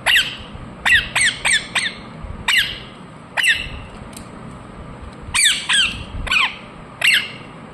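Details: Loud, raspy falling squawks from a ringneck parrot, delivered in quick groups of three or four with gaps between bursts.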